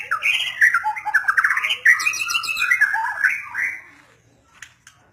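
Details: White-rumped shama pouring out a rapid medley of rich whistles, harsh squawky notes and fast trills for about four seconds, then falling quiet apart from a couple of faint clicks.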